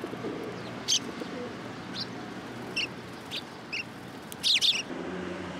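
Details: Sparrows gathering to be fed at a Tenmangu shrine, Japan, 3 October 2022, giving scattered brief high chirps, single and in pairs, with a cluster of sharper notes late on, against a low background rumble.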